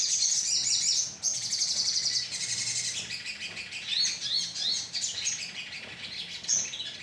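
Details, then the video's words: Lure recording of a crimson sunbird colony: a loud opening run of sharp high chirps, then overlapping thin twitters and squeaky notes from many birds, fairly fast and irregular. "pancingan suara koloni sogon"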